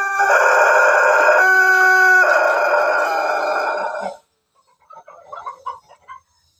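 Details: Pelung rooster crowing: one very long, loud, harmonic crow held for about four seconds with a change in tone midway, then faint clucks after it.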